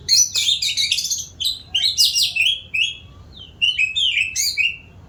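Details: White-rumped shama, described as an eager singer, pouring out rich high whistles and rapid warbled phrases in quick bursts, loud and varied, with short pauses between phrases and faint low room hum behind.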